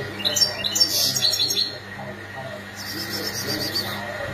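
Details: Goldfinch calls used to prompt males to sing: an opening flurry of sharp, high, ringing chirps, a short pause, then a series of quick, evenly repeated tinkling notes, over a low background hum.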